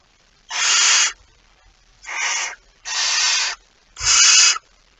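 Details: At the nest with prey, a barn owl gives four rasping, breathy hisses of roughly half a second each, spaced about a second apart, recorded 23 September 2019; quiet background.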